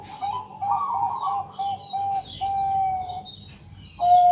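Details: Night-time song of a Bangkok zebra dove, a loud local bird meant to coax other doves to sing: trilled coos breaking into short clipped notes and a held tone, with thin chirps from other birds overhead.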